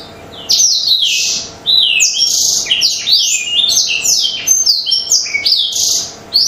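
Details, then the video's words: Black-throated canary in an intense, nonstop song, a lure recording meant to get other birds singing: rapid high twittering of sweeping whistles and buzzy trills, broken by a short pause near the start and another near the end. "BLACKTHROUT OVER GACOR"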